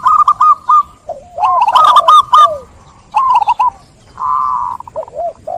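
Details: A zebra dove sings quick runs of clipped coos, then a steady, sustained coo held for nearly a second, followed by lower, looping notes.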